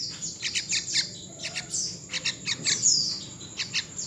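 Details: A young wild yellow-vented bulbul gives quick, high, scratchy chirps in loose bursts, roughly three a second, with one thin whistled note midway.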